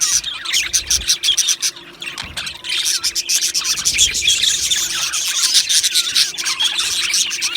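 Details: Colony of Australian budgies chirping in an aviary, an intense high chattering chorus of short chirps, squawks and warbles, briefly quieter early on before building again.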